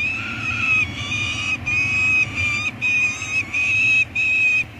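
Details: Two peregrine falcon chicks at a nest on Anacapa, filmed by live cam on 18 May 2022 while food is brought in: long, drawn-out wailing notes with strong overtones, repeated in a series with brief gaps, over low background rumble.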